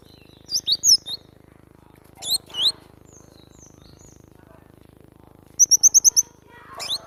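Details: Cinereous tit in lively full song, used as a training recording: very high thin whistles and twisting chirps in short bursts, then a fast run of five sharp identical notes, with a low steady hum underneath.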